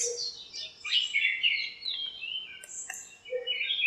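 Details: Backyard birds in a lemon tree on a bright morning exchange chirps. Sliding high twitters descend and level off, softer than nearby calls, over a faint steady background hiss.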